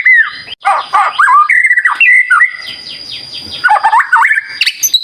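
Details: White-rumped shama song used as a 'gacor' lure for training: rich, varied whistles with slurred upward and downward notes, brief pauses, then a burst of quick jumbled phrases.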